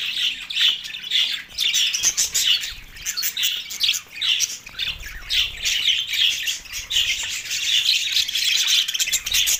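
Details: Budgerigars in mating excitement, Larkana, Sindh, March 9, 2024: nearly ten seconds of unbroken, scratchy warbled chatter and sharp squawks, many short notes packed tightly together.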